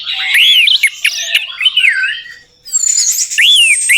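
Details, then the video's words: Orange-headed thrush, a lure track to make a stuck bird sing. Loud swooping whistled notes rise and fall in wide arcs with harsher squeaky bits, a short silence, then more swooping whistles. "PANCINGAN TERBAIK TERAMPUH UNTUK BURUNG ANIS MERAH MACET BUNYI, PASTI LANGSUNG NYAUT"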